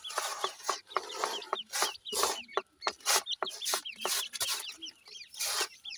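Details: Several grey francolin chicks squabbling with their mother after a feed, giving rapid, overlapping thin chirps with little upward flicks, mixed with loud bursts of flapping and scratching noise.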